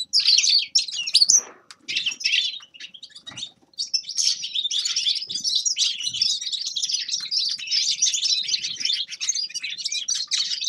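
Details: Grey-crowned goldfinch song: a few separate high chirps and short twittering bursts with gaps, then a long unbroken flow of rapid, tinkling, slightly buzzy twitters.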